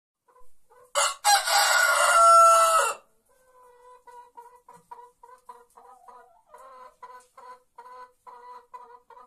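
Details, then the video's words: White rooster in a quiet olive-growing village in Andalusia, Spain, before dawn: one loud, harsh crow of about two seconds with a brief first note, then soft, low clucking notes repeated irregularly. "Gallo cantando"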